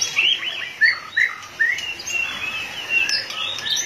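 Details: Excited white-rumped shama pumping its tail hard, singing a few loud, separate whistled notes about every half second, then a sustained, rapid warbling run of overlapping high notes, clear against a quiet background.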